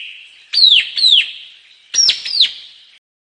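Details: White-capped tanager song in two bursts, each a pair of bright whistled notes that drop quickly in pitch. The bursts are separated by about a second, with little else audible.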